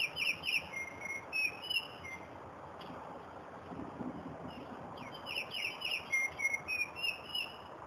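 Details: Unidentified songbird singing in Connecticut: two bouts of clear, whistled high phrases with short slurred notes and sliding whistles, several per second, separated by a quiet gap of about three seconds; faint background hiss.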